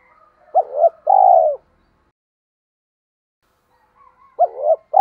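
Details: Decoy spotted dove calling to lure other doves: a short doubled note then a long, drawn-out, gently falling coo, with the phrase starting again near the end; quiet between phrases.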